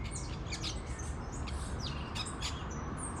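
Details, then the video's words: Several free parakeets call in nature with piercing, thin chirps and a few longer whistled slurs dropping in pitch, beneath which a loud low rushing noise persists. "Periquitos Livres na Natureza, Som de Pássaros"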